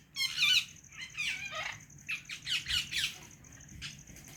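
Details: Harsh, grating squawks from a pet white-colored rose-ringed parakeet, several rough bursts in close succession over four seconds, tapering into shorter scratchy calls, with a thin steady high tone in the background.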